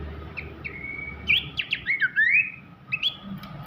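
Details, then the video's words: Abbott's babbler whistling sweetly, a tutor song for champion magpie-robins: a long level whistle, then a burst of quick slurred notes and a rising glide, ending with a brief high whistle. "siulan merdu sang pelanduk semak"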